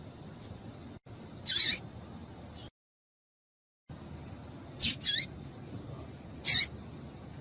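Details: Female double-collared seedeater calling, used to stimulate males into singing: short, sharp, high chipping notes given singly and in a quick pair, spaced irregularly over several seconds with a brief silent gap, against a faint low background hiss.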